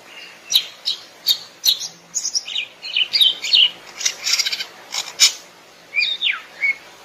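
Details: Greater green leafbird in the wild giving a rich, chattering medley of sharp chirps, squeaky notes and slurred whistles, ending in a few falling whistled phrases.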